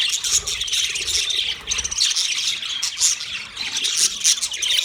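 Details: Budgie colony of 30 pairs: many birds chirping and warbling at once, a bright, dense chatter of short high squeaks and squawks with brief quieter moments.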